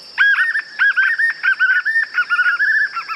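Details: White-eared puffbird song, unedited: loud, ringing notes around the middle of the range, repeated in quick uneven bursts about every half second, each note with a sharp bent shape, over a steady high insect drone.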